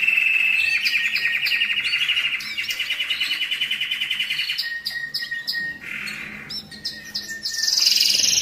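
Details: Canary singing to stimulate breeding, opening with fast rolling trills, then clipped repeated notes, a short whistled tone and a rising high flourish at the end.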